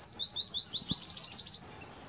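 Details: River lapwing in Kuno National Park, April 2022, giving about ten sharp, high, upslurred notes in a quick run of roughly six per second, then stopping. No other clear sounds.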